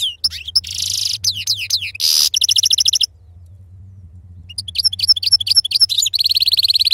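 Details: European goldfinch with khalawi (wild-type) serfati song: fast tinkling twitters, a brief harsh buzz and rapid trills, then a pause before another burst of chirpy, bouncing notes and a steady, even-paced trill.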